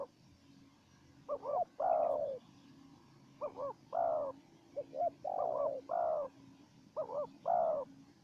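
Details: Spotted doves trading calls: a wild bird answering a decoy bird. Repeated phrases of paired short rolling notes, each closed by a drawn-out mellow coo, about four phrases in eight seconds over a quiet low hum.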